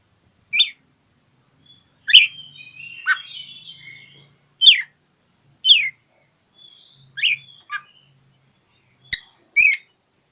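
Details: Oriental magpie-robin singing to find an opponent: loud rasping downslurred notes roughly every second, mixed with soft whistled warbling and sharp clicks, over a faint low hum.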